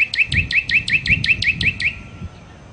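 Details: A nightingale, called sikatan londo, gives a loud, fast series of about ten identical sharp, rising notes in under two seconds, then falls silent.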